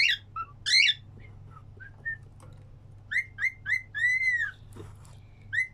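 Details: Cockatiel singing along: clear whistled notes near two kilohertz, short chirps and slurred upward whistles, then a longer arched whistle, with a steady low hum behind.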